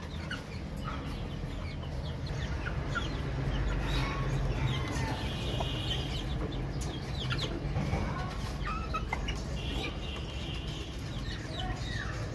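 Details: Baby chicks in a busy, continuous chorus of short high peeps and brief trills, overlapping without pause over a low droning background.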